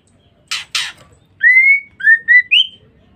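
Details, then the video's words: Calling female white-rumped shama, used to lure males: two harsh grating bursts, then a long clear whistle and three shorter rising whistled notes. "Pancingan Suara Murai Batu Betina"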